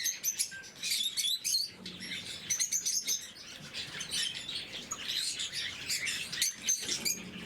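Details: Lovebirds of the blue mutation during their morning feeding keep up a busy chorus of high, piercing chirps and scratchy twitters that overlap steadily, with a few louder bursts and soft background rustle.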